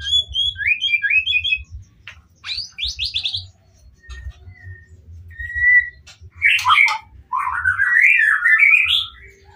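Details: White-rumped shama in emotional song to provoke rival shamas into answering; spaced phrases of high twittering whistles, short clipped notes, then a loud rising warbled flourish near the end.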